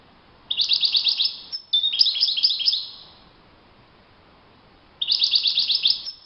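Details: European goldfinch singing out in the wild: bright, high twittering bursts of rapid tinkling notes, a phrase of about three seconds, then a pause and a fresh burst of fast chirps.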